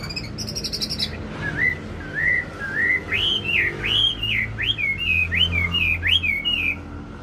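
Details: Wambi lure song to stimulate other birds: after a short buzzy burst, a steady series of looping whistled notes climbing gradually higher, each slurred up and down, with a low background drone.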